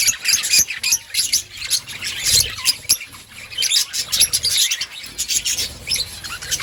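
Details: High, busy chatter from a colony of budgerigars kept outdoors, with many overlapping chirps, warbles and short squawks rising and falling in loudness.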